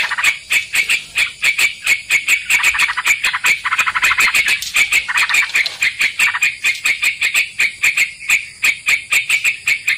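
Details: Sooty-headed bulbul heard as a lure to catch birds: a long stream of quick, scratchy chirps in steady pulses, a few warbled stretches in the middle, against a continuous high-pitched electronic tone.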